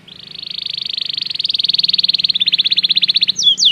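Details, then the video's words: Belgian canary training song: a single sustained rolling trill that begins soft and swells louder over three seconds as the notes grow more distinct, ending in two sharp sweeping whistles. "O canto do canário belga"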